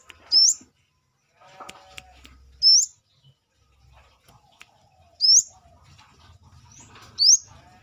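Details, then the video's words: Brown-throated sunbird (kolibri kelapa) calling freely outside the cage, giving four piercing rising notes spaced about two seconds apart, separated by soft rustles and a low hum. "KORLAP (Kolibri kelapa)Manggar gacor luar sangkar"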